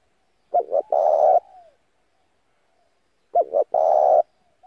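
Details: Lure call of a spotted dove, played to attract wild doves and train voices: a double short hoot leading into a long burry coo, repeated after about two and a half seconds.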